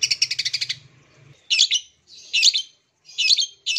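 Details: Long-tailed Shrike song, played as a lure to get silent or out-of-song shrikes singing again: a quick run of harsh, buzzy chattering notes, then repeated scratchy bursts about once a second, with a faint low hum beneath.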